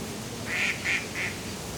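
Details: Ducks calling at a pond in a city park on a breezy day, with moorhens and geese nearby. Three short nasal quacks come in quick succession, about a third of a second apart, over a steady rush of gentle wind.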